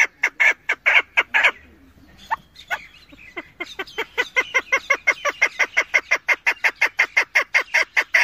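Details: A female chukar partridge gives rapid, harsh clucking notes in a steady series, a few per second. It pauses briefly before resuming at a quicker, even pace.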